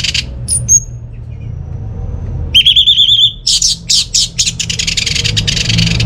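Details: Orange-headed thrush song intended to stir non-singing home birds: faint scratchy notes and two thin whistles, a long wavering whistle, then loud buzzy rasps and a fast chattering run over low hum.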